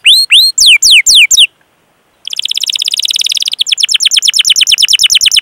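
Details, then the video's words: Canary lure song in the gacor ngerol style, meant to set other canaries singing: a few sharp falling whistles, a brief silence, then a dense high buzzy roll that breaks into faster repeated chirps. "Masteran Suara Burung Kenari Gacor Panjang cuit cuit Ngerol untuk Pancingan Kenari!"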